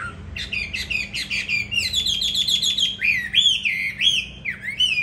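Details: Tamed fighting hwamei kept in a cage in Hà Nội, Vietnam: quick stuttering notes run into a steady high whistle, then looping rising-and-falling whistled phrases repeated about twice a second.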